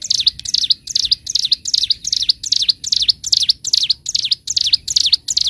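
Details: Ciblek gunung, bar-winged prinia, singing gacor for master training: crisp repeated V-shaped chirps, about thirteen in five seconds, regular and loud, with only faint low background noise.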